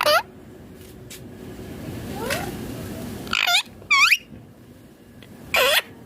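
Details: Green rose-ringed parakeet eating food: a brief squawk, a long stretch of background rumble and a faint sweeping note, then three well-spaced harsh, descending screeches.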